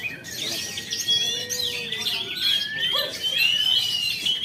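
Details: Freshly moulted caged Oriental magpie-robin in Jakarta, Indonesia, pouring out quick high chirps and trills, with a low drawn-out whistle early and a clear upward slur near the end.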